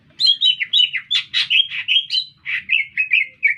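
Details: Green leafbird singing energetically in a city centre, producing a brisk sequence of double-toned whistled chirps and rough buzzy notes, about four per second.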